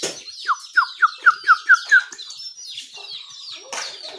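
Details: Songbird in the morning, possibly one of the bulbuls or a white-eye: a run of seven clear, quick downslurred whistled notes, then softer scattered chirps and a sharp click near the end.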